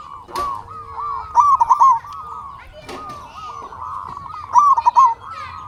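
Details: Local Indonesian zebra doves sing in a lure recording meant to provoke other doves to answer. A steady bed of overlapping soft cooing is broken twice by louder, bubbling, trilled coo phrases, with a few brief clicks.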